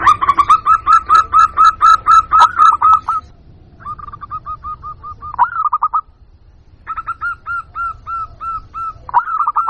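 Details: A local zebra dove lure for attracting wild birds: loud rapid series of hooked coos, then softer runs of evenly spaced coos separated by short silences.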